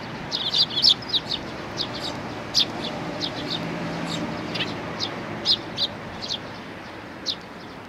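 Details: Sparrows, parents with their chicks: rapid light chirping, many short high notes in quick succession, softer later, over a steady low background hum.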